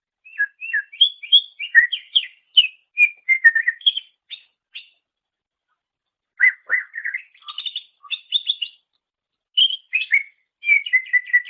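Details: Greater green leafbird song used as a master recording for training songbirds: varied clear whistled and chirped phrases, rapidly changing notes in bursts separated by a long pause, no background noise.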